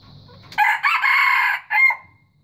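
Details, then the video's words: A white junglefowl crows once, loud and hoarse. Three joined segments are followed by a short, separate falling end note. A faint high whine and low murmur are heard before it. "Kokokan Ayam Hutan Putih Terbaik"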